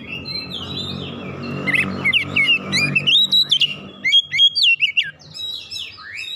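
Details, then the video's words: Oriental magpie-robin song meant to goad other magpie-robins into singing. Quick, zigzagging whistled notes and clipped chirps rise over a steady low droning hum that fades midway. "KACER LAIN CEPAT TERKOMPORI MEMANAS GACOR BUKA PARUH BONGKAR ISIAN"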